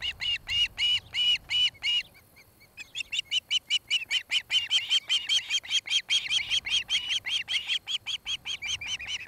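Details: Osprey of a nesting pair in Charlo, Montana, filmed by nest camera on 26 July 2018 in the early evening; loud ringing whistled notes, a brief pause, then a fast, regular stream of high chirps.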